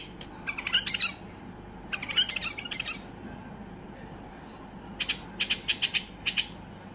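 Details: Highly worked-up white-eared bulbul singing to get other bulbuls singing: two chattering bursts of tangled chirps, a pause, then a run of crisp repeated notes, with a steady low hum beneath.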